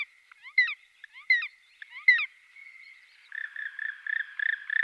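A Black woodpecker gives three loud, ringing notes about a second apart, then a fast, even series of shorter yelping notes.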